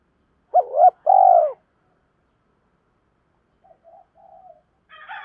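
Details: Spotted dove decoy bird calling to challenge rivals and lure wild doves: two loud, hoarse cooing phrases, a short hooked note then a longer steady coo, followed by softer, faint coos and a brief harsher sound at the end.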